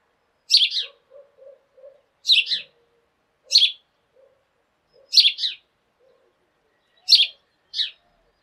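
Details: Sparrows calling loudly together in the morning: high, bright chirps, often as quick double notes, coming in bursts one to two seconds apart, with soft low murmurs between them.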